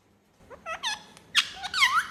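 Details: Pet ringneck talking parrot in a room: a brief string of rising squeaks building to louder, bright, harmonic, wavering notes within two seconds.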